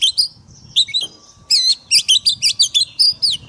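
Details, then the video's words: White-rumped shama song played for daily training of caged birds in a forest-voice style: rapid varied phrases of sweet whistles, trills and sharp chirps, mostly high-pitched, with a short pause before a dense burst of notes. "Luyện chòe than hót giọng rừng mỗi ngày"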